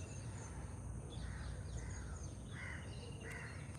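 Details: House crow (grey-necked crow, Corvus splendens) in a Colombo cemetery garden at 07:16 on 24 Dec 2024, around sunrise at about 23°C, gives three short, harsh, nasal caws about a second apart over low outdoor rumble; ring-necked parakeets also around.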